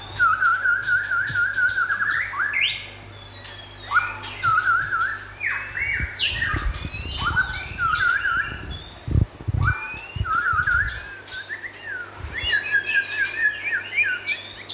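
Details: Lively song of the White-rumped shama, local and forest types: long warbling whistles broken by harsh downward notes and rapid varied phrases, with low thumps and a constant faint hum.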